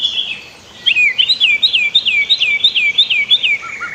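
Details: White-rumped shama master song for training cage birds, mixed with a river: after a brief pause, a fast series of repeated downslurred whistles, roughly three per second, ending in lower quick notes.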